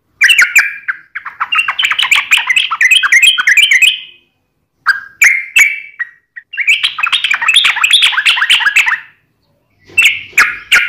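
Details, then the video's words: Fighting-style trucukan song made of long rushes of fast, tumbling, bubbly notes and short single whistles, with gaps between bursts and a final scratchy flurry. "KICAU SUARA trucukan gacor TARUNG NGALAS ROPEL"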